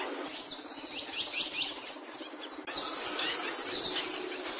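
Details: A capuchino seedeater sings a rapid series of upswept chirps, then switches to higher, thinner twittering phrases after a brief break, all against a continuous noisy hiss.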